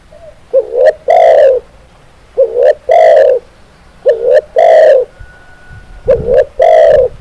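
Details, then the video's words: Repeated spotted dove (tekukur) cooing: four phrases at roughly 1.7-second intervals, each a rising note, a click and a long resonant coo. A few low thumps are heard near the end. "SUARA BURUNG TEKUKUR"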